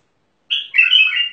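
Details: Mandali bulbul gives a brief song phrase that opens with a sharp bright note and runs into a continuous, wavering, fluty warble; background silent.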